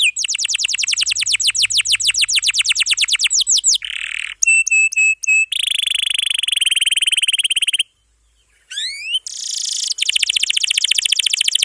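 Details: Canary training song of long, dense rolls for young or silent birds: long run of fast sweeps, buzzy trill, ringing stacked notes, a sustained buzzy roll, brief silence, rising whistles, then a rapid trill.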